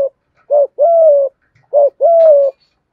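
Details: Full calling, urging and cooing sequence of a spotted dove, aimed at stimulating wild doves. Two clean, loud phrases, each a short rounded note then a long, level, rather buzzy coo, about a second apart.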